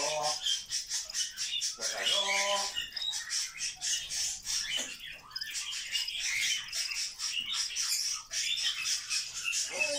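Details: Pet grey parrot talking non-stop, as it does all day: a dense stream of high chirps, clicks and squawky, speech-like phrases, with a brief lower voiced, harmonic phrase early on.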